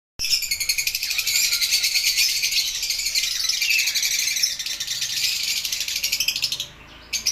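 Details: Lovebirds calling: a dense, unbroken chorus of shrill, high chattering chirps that goes on for more than six seconds before dropping away, followed by a couple of isolated sharp notes.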